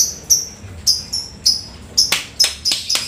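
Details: Lovebird after rain giving rapid high ticking notes in the 'ngetik' style, sharp clicks repeated about every quarter to half second, growing denser with harsher buzzy bursts toward the end.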